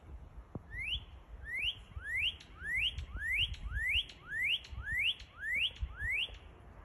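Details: Northern cardinal song, a steady series of about ten loud upslurred whistles, each rising sharply then clipped, repeated roughly every 0.6 seconds with even rhythm; faint low rumble underneath.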